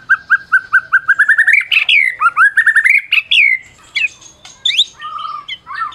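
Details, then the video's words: Prize-winning Medan white-rumped shama singing to spur mute shamas into song: a fast series of repeated whistled notes speeding up, then varied swooping whistles, harsh chatters and buzzy phrases with brief pauses. "Masteran Murai Batu Medan Berprestasi !! Murai juara,, cocok pancing murai lain yg bisu"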